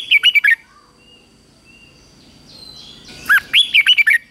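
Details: Red-whiskered bulbul competing-style song recorded for morning training, meant to excite young birds into singing. Two lively phrases of looping whistled notes, one at the start and one near the end, are separated by quiet.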